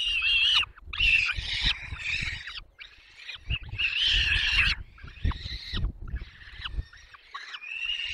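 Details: Peregrine falcon chicks in the Barycz Valley, Poland, 6 May 2021, fed at length until all are full. Loud, harsh, quavering screams come in irregular overlapping bursts about every second, with low rustling knocks between them.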